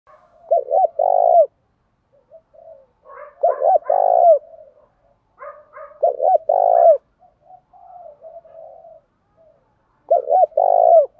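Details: Spotted dove lure bird cooing to attract wild doves, varying its song pattern; four loud, low, throaty coo phrases spaced about three seconds apart, with softer murmured coos between them.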